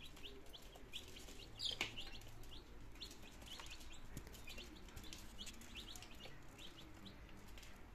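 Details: Domestic chicks two days old, nineteen in all, in Germany on 17 September 2022, starting to eat and drink; rapid thin cheeping peeps tumble over one another, with a brief louder chirp and low background rumble.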